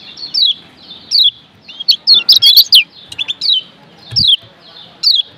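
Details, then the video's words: Yellow Lombok white-eye (kecial kuning), a tutor recording (masteran) meant to turn sluggish caged white-eyes into eager singers; high, sharp downslurred chirps in short bursts, roughly ten phrases in five seconds, with a brief cluster of rapid notes midway. "Masteran Kecial Kuning PENGGACOR Ampuh Merubah Kecial LEMOT Jadi NGOTOT"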